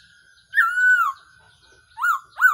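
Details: Trapping decoy call of a Black-throated laughingthrush: a long, steady whistle dropping at the end, followed by two short, rising-and-falling whistled notes.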